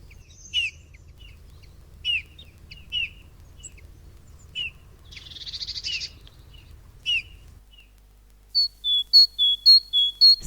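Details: Eurasian Bullfinch voice played back: soft, short piping notes spaced irregularly over about seven seconds, with a brief scratchy burst in the middle. A clear series of higher, evenly repeated notes from another bird follows at the end.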